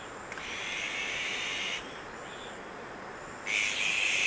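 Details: Azure-winged magpies feeding young at Maeji-ri near Wonju, Korea; a drawn-out scratchy hiss for over a second, a quieter pause, then a louder, rougher rasping burst at the end, against low ambient noise.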